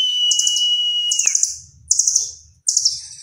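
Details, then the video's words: Velvet-fronted nuthatch in lively song with mimicked phrases said to resemble cililin; a steady thin whistle runs first, then three very high, buzzy, rattling trill bursts about a second apart, each fading downward, with faint low rumbling beneath. "Rambatan Doraemon Gacor Isian Mirip Cililin"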